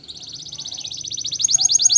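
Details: Canary song used for training young singers, Spanish Timbrado style: a fast continuous metallic trill of rapid notes that grows louder and sharper toward the end.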